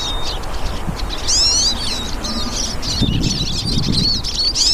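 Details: Several wild hooded siskins singing in nature: rapid, twittering high notes with sliding whistled phrases, bursts coming and going over low background rumble and scattered soft thuds.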